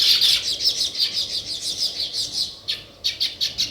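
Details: Chirping sparrows, named as weaver birds: a rapid run of high, pulsing chirps at first, then separate sharp chirps repeated about every quarter second near the end.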